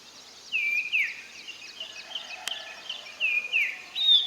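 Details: Common iora giving clear downward-sweeping whistled notes in spaced pairs over a faint steady hiss of background noise, with one sharp click near the middle.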